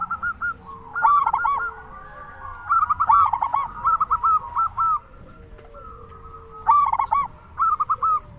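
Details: Local zebra dove in vigorous song, used as a lure to get other doves calling: soft rapid cooing trills near the same pitch, broken by three louder, harsher rolling phrases about every three seconds.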